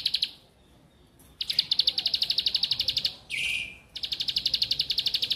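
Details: Bar-winged prinia song in rapid high chip series, with a gap early on and a short buzzy, lower rasping note between runs before the quick regular chipping returns.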